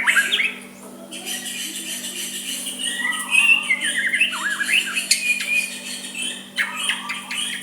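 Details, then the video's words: White-rumped shama giving soft song to stir a rival to reply, here harsh and scratchy: squawky chattering notes mixed with short looping whistles, in uneven bursts over a low steady hum. "Murai batu suara lembut cocok untuk MEMEKAT lawan ikut emosi dan saling balas"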